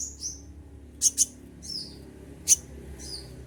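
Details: Caged olive-backed sunbird, shedding its feathers, sings thin high-pitched chirps, then a sharp paired burst and a single piercing note, loose and irregular, over a steady low hum.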